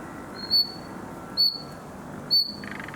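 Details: Young common nightingale in summer, trying hard at its song: three identical high, sharp whistled notes, each starting abruptly and trailing off, roughly one per second, over a soft steady background hiss.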